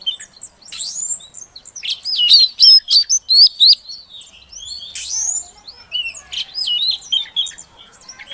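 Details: Female Oriental magpie-robin giving calls to stimulate a silent male to sing; scratchy twitters leading into loud repeated wavy whistled notes, a sharp burst, then another run of wavering whistles.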